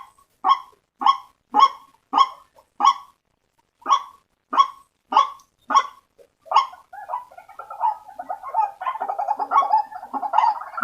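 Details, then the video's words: Waterhen lure sound of the white-breasted waterhen: around ten separate harsh croaks at a steady pace, then a dense overlapping stretch of rapid chattering notes. "Suara Pikat Ruak Ruak"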